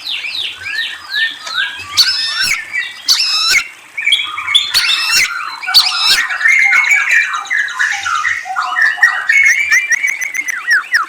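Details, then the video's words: Long, inventive white-rumped shama song of whistles and trills: cascading falling notes, stacked ringing phrases, and a continuous jumble of warbles, chips and slurred whistles with hardly a pause. "Murai Bird Whistles and Trills"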